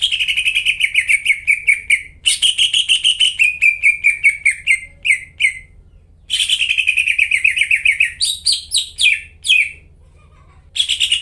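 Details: Greater green leafbird in energetic song used to provoke quiet caged birds into singing: two long, fast bouts of repeated, trilling whistles with falling runs and high chips, separated by short silences, over a faint hum.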